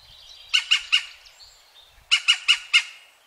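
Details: European green woodpecker calling in 2017 around Wittlich: a harsh series of three sharp ringing notes, a short pause, then four more in quick even succession.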